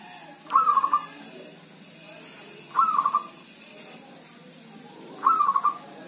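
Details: Healthy kept zebra dove (perkutut) singing through rain or drizzle: three rolling, stuttered cooing phrases, each about half a second long, spaced roughly two seconds apart, over a soft steady background hiss.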